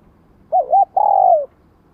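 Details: Spotted dove coo used for training new decoy birds, in the '2 hậu lỡ' pattern. A quick warbled opening note leads into one long, even coo that slides downward, heard against a faint low hum.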